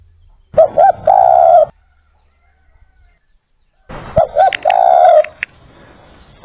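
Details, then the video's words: Spotted dove (derkuku) calling as village background sound: low cooing phrases, two short coos then a longer drawn-out coo, repeated twice with a pause between, with a faint extra tone in the second phrase. "Backsound suara burung Derkuku"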